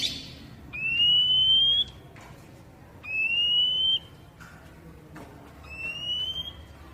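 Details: Oriental magpie-robin, kacer poci, sounding long whistled notes meant to stimulate raw captive birds to respond: three sustained, slightly rising pure whistles about every two and a half seconds, with faint clicks between them.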